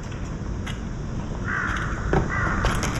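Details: Red-billed young crow, hatched in May 2024 and as big as its parent, calling to be fed: two hoarse, drawn-out 'kkaa kkaa' notes about a second apart, partly masked by a steady noisy background.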